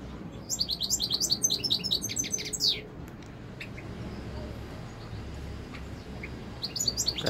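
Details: European goldfinch, a captive bird, delivering a quick burst of bright twittering and trilled notes, then scattered faint chirps and a short renewed twitter at the end, over low hum.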